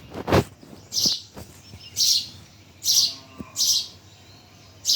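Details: Birds chirping in Bhimtal, giving brief, very high, sibilant chirps at irregular intervals of about a second. Six bursts are heard, with a low thump near the start and faint background hum.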